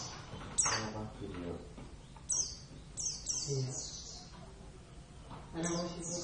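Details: Oriental white-eye of the Javan race kept as a pet, giving sharp high descending chirps in quick groups, with pauses between bursts, over background talking and a faint hum.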